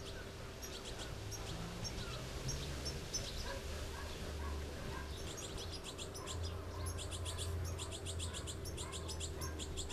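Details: Goldfinches feeding their young: rapid bursts of thin, high twittering chirps from the begging young, growing denser and more insistent in the second half, over a steady low rumble of background noise.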